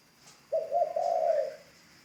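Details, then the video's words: A single low, slightly wavering coo lasting about a second comes from a ground decoy spotted dove that is in training, over a quiet, steady background. "Tiếng chim cu gáy mồi đất"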